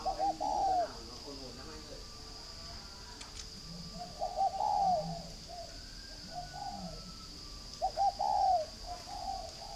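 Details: Spotted dove from a breeding farm in Ba Vì, Hanoi, northern Vietnam, giving mellow cooing phrases about every four seconds, each a short stutter then a longer falling coo, with a steady high electrical hum behind.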